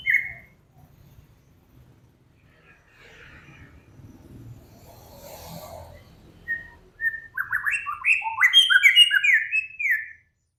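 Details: Whistling cage bird, one of Samyong, Kancilan Flores or Garugiwa, for training other cage birds: one whistle, several seconds of faint rustling and low noise, then a fast run of sharp, zigzagging whistled notes.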